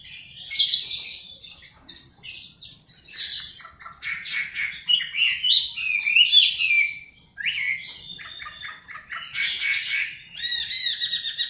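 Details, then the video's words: Varied, energetic song of a Chinese hwamei mixing harsh squawky bursts, sweet slurred whistles and a fast rattling trill near the end, with a short gap in the middle. "Hwamei Singing"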